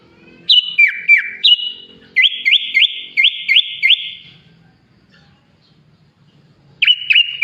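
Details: Song of a sooty-headed bulbul that copies the songs of Sunda pied chat, green leafbird and Asian pied starling: clear falling whistles followed by five quick, evenly spaced rising chips, a silent gap, then a closing pair of sharp whistles.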